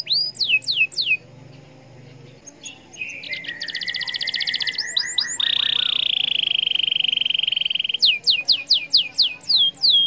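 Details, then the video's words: Canary song used to provoke other canaries into singing: rapid repeated downward-sweeping whistled notes, a buzzy trill, then a long steady high rattling note before quick swept chirps return. "Pancingan Kenari Gacor Cuit Cuit EMOSI IN"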